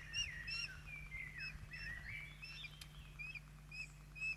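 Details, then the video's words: Osprey calls from a Poole Harbour nest during the chicks' evening feed on 8 June 2024; slurred, wavering whistles rise and fall, mixed with short high chirps in a continuous, excited chatter. "Poole Harbour Osprey- Rybołowy - Tata 022 & mama CJ7 & 🐥🌹🍀🐥🌹🍀🐥🌹🍀🐥🌹🍀Kolacja maluchów 08/06/2024"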